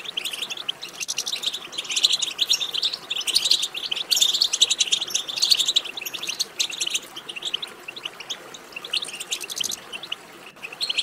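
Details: European goldfinch singing in a bird-training recording meant to stimulate other goldfinches to sing: rapid, bright twittering and tinkling chirps in dense bursts, with a brief lull near nine seconds before the chatter resumes.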